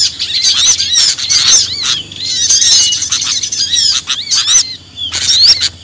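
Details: Small birds in a lure recording used to attract small birds: a dense, noisy chorus of shrill, squeaky chirps and short whistled upslurs overlapping continuously, with a lower repeated two-note whistle breaking through now and then.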